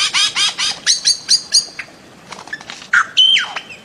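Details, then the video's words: Bird-of-paradise calling: rapid series of loud, harsh, squawking notes with rich harmonics, then scattered sharp clicks and a final long ringing whistle sliding downward. "Bird of Paradise Calling Sound"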